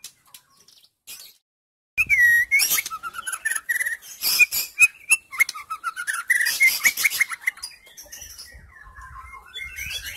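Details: Female white-rumped shama singing, used to stimulate silent males to sing: varied whistled phrases around mid pitch mixed with sharp clicks and harsh high notes, starting after a short quiet gap and fading toward the end.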